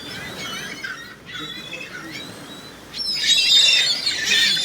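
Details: Many gulls calling together: overlapping harsh, nasal squealing calls with bright harmonics, growing louder and denser in the second half, with faint voices in the background.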